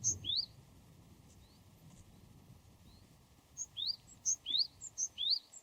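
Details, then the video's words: Japanese tit in the wild giving high note-plus-rising-sweep phrases, one at the start, then a quiet gap, then a run of four repeated phrases near the end. "シジュウカラの鳴き声08【鳥の鳴き声】 birdsong of Japanese Tit Parus minor"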